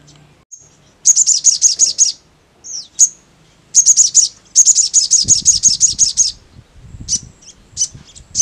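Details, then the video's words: Crimson sunbird (sogon) song used to make any sogon answer fast and ngleper: loud, high-pitched staccato trills of rapid ticking notes in long runs, a few lone chips between, faint low rustling near the end. "TAK BUTUH WAKTU LAMA, SOGON MANAPUN CEPAT NYAUT NGLEPER"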